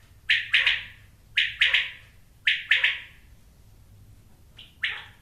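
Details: A quail gives its call repeatedly, each phrase a quick burst of three sharp, slightly rasping notes, repeated roughly every second and a quarter before a brief pause, over a low background hum.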